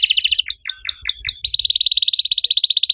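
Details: Active riwik canary with long cuit cuit delivery, used to get other canaries singing. Quick doubled high notes, a handful of hooked downward chirps, then an even, rapid, buzzy trill that carries to the end.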